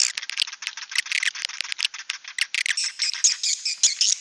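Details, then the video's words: Swiftlet calling the flock, an outdoor lure sound: dense bursts of sharp chirps and twitters, rapid and uneven at about a hundred per minute, bright and high-pitched, with no other sounds. "TIẾNG CHIM YẾN GỌI ĐÀN"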